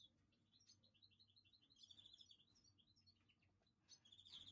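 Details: Greenfinch mule singing: a quiet run of evenly spaced, high chirped notes, then bursts of buzzy, twittering phrases with background hiss and low hum.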